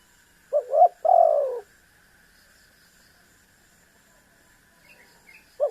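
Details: Spotted dove cooing, used to provoke a rival bird into calling: two low, soft hooting coos in quick succession, the second longer and wavering, then silence and the start of another coo, with a faint steady hum throughout.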